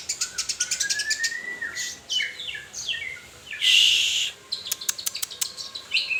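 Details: White-rumped shama song with quick high chips, a long rising whistle, downward-sliding slurred notes, a loud hiss of noise and then renewed sharp rapid chirping.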